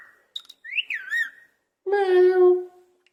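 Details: Pet parrot in a cage copying a cat's meow: a looping whistle rises and dips, then a long, flat, strongly harmonic nasal tone that swells and fades.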